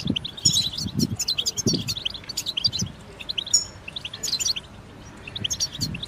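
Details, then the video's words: European goldfinches chirping together in fast, high tinkling twitters and short trills, accompanied by several low dull thumps in the first half. "بتبتة جماعية تساعد الحسون على التغريد والخروج من مرحلة غيار الريش"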